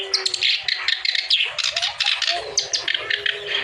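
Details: Clamorous reed warbler singing vigorously to prompt other birds to sing: dense, grating chatter mixed with sharp high squeaks, a faint low rumble beneath.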